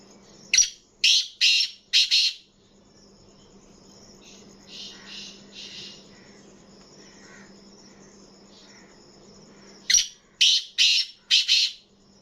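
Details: Pet black francolin (kala teetar) calling in an excited mood. It gives a harsh, grating phrase of four rapid scratchy bursts, falls quiet with only faint softer notes, then repeats the four-burst phrase about eight seconds later, over a low steady hum.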